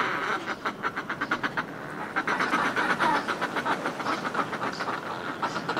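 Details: Groups of Northern fulmars displaying on cliff ledges chatter in long, rapid trains of throaty pulses, one run overlapping the next, against continuous surf noise.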